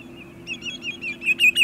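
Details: Sandpiper at sunset at Montezuma, New York, 6 May 2019, with waterfowl nearby, giving a run of short, high, slightly slurred notes, about three a second, growing louder toward the end over a faint steady low hum.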